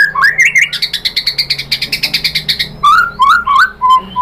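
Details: White-rumped shama lure song meant to provoke other birds into singing: a rising whistled opening, then a rapid, even trill of short repeated notes, followed by varied slurred whistles and a final steady tone.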